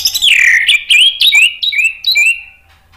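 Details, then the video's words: Male orange-headed thrush singing spontaneously, used as a lure recording: a rapid run of varied, sweet whistled phrases, sliding notes and chirps in quick succession, high and clear. "ANIS MERAH JANTAN SPONTAN NYAUT"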